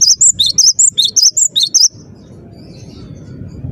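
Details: Cinereous tit with a fast, regular run of about ten high, pure whistles alternating between two pitches, ending abruptly before two seconds and leaving faint background hum.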